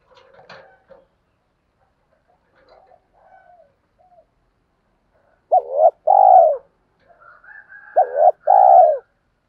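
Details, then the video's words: Spotted dove used as a lure to provoke wild doves into calling. Faint scattered notes come first, then two loud, low, husky coos near the end, each a short clipped note followed by a longer drawn-out one. "chim cu gáy thúc kích bổi rất xiêng gáy, tiếng gáy gọi dúp bổi nghe xong có hứng gáy theo liền"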